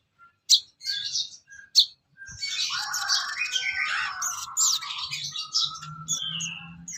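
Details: Sooty-headed bulbul song recorded as tutoring material for songbirds: two sharp high notes, then a rich jumble of warbled phrases and descending whistles.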